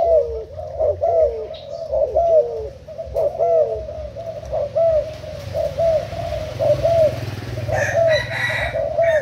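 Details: Thai spotted dove used as a trapping decoy coos continuously, crisp short notes each followed by a falling hoot, about once a second, with some rustling noise late on.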